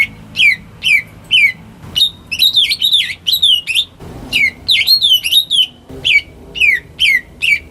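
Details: Greater green leafbird raised at home, sung to prompt quiet birds into song: sharp downslurred whistles repeated roughly twice a second, mixed with bursts of rapid warbling and a few clicks.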